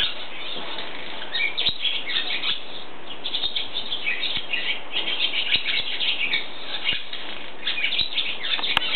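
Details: A barn swallow (Hirundo rustica) sings in a barn in Eptingen, Switzerland: a fast, continuous twittering warble of chirps and squeaky notes, with a few sharp clicks mixed in.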